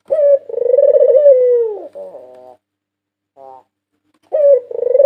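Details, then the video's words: National champion white ringneck dove from 2022: one long throaty rolling coo sliding down at its close, soft buzzy trailing notes, a short quiet burst, then a fresh coo starting. "Masteran burung puter putih juara nasional 2022 merdu dan ampuh untuk pancingan"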